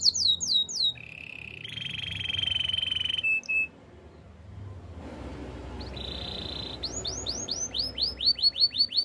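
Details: Training song of a canary: falling swoops, a sustained flat whistle, a short pause, another held tone, then loud repeated downward-sweeping notes.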